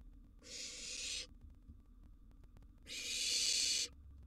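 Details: Hissing begging screech of a wild barn owl chick at mealtime in its nest box, a sizeable gerbil delivered as food; two drawn-out noisy rasps roughly two and a half seconds apart over quiet background hum.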